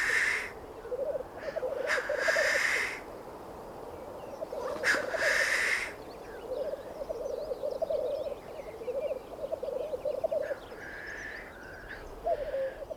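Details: Black grouse mating call in the Alps in spring: low, dove-like bubbling phrases rolling on almost without pause, broken by loud hissing sneezes.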